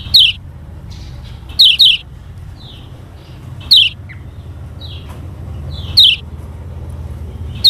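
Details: Lombok yellow kecial (lemon-bellied white-eye) used as a lure recording to teach reluctant birds to sing: bright, steeply falling chirps, single or doubled, spaced a second or two apart, with fainter short notes between and a steady low background hum.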